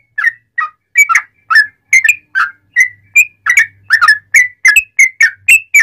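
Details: Sooty-headed bulbul singing in the loud ngalas style with cucak rowo-like phrasing, used to train other bulbuls and provoke them into singing. It gives clear, short, whistled notes, some rising and some falling, repeated about twice a second against a quiet background.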